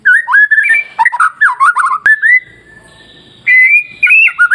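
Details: White-rumped shama masteran song used to provoke other shamas into singing: loud, clear whistled phrases that swoop and twist, a pause with a faint steady tone, then bright rising whistles return.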